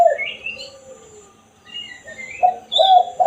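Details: Spotted dove (tekukur) giving the single 'kuk' call used to lure wild doves. Low mellow coo notes open and close the clip, and thin chirps from other small birds fill the gap between them.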